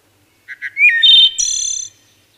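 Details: Singing wood thrush giving two short soft notes, a rising slurred whistle into a clear flute-like phrase, then a high shimmering trill ending the phrase; clean recording with no other sounds.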